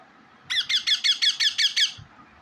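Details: Pet parrot giving a quick series of eight harsh, screechy calls, evenly spaced about every fifth of a second, in a quiet indoor room.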